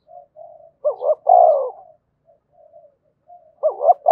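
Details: Luring call of a Spotted dove from Đồng Nai province, Vietnam: quiet breathy coos lead into a looping two-note coo and a long sliding croo, then murmurs before the next phrase starts.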